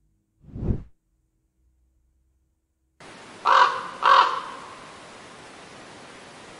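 A raven gives two harsh, hoarse croaks about half a second apart over a steady background hiss, after a single dull thump.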